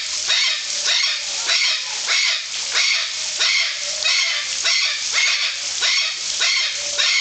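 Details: Golden conures at Parque das Aves, Foz do Iguaçu, Brazil: harsh, raspy screeches repeated in a steady series, roughly one every 0.6 seconds, about a dozen in quick succession, loud and continuous.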